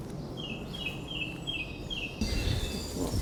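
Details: Song thrush in the dawn chorus in March at Abney Park, a mature mixed woodland in north Hackney, London, singing a rich song that repeats one short, bright whistled phrase about five times, over a low rumble growing louder.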